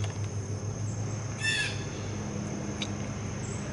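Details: A blue jay visiting for a peanut gives one harsh, ringing call, then a brief fainter note a second later, over a steady low hum.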